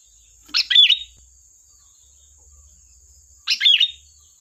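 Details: Sooty-headed bulbul in brisk song used as a lure: two short warbled, fluty phrases about three seconds apart, over a faint low rumble and a steady high whine.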